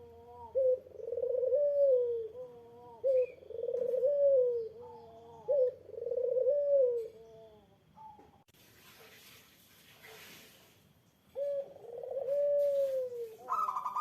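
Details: Eurasian collared dove cooing to provoke an answering rival: soft, hollow coos repeated in steady phrases about every two and a half seconds. A burst of hissing noise covers the later part before cooing resumes, ending on a higher note.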